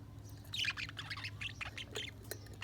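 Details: Budgerigars chirping: busy, scratchy chatter of short high chirps and squawks in quick irregular bursts, fairly quiet, over a steady low electrical hum.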